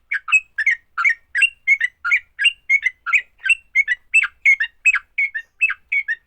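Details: Fighting song of a sooty-headed bulbul, said to quickly get other bulbuls singing: rapid, regular string of bubbly, down-slurred chirps and short whistles, about three notes per second.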